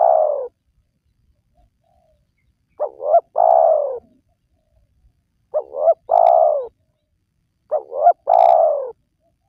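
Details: Repeated calling of a spotted dove meant to lure wild doves. A tail-end coo, then three phrases about every 2.5 seconds, each a quick double coo followed by a longer falling note.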